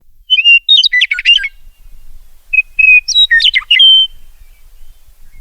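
A meadowlark sings two phrases, each opening with clear whistled notes and breaking into a rapid, gurgling, tumbling jumble. The background is quiet.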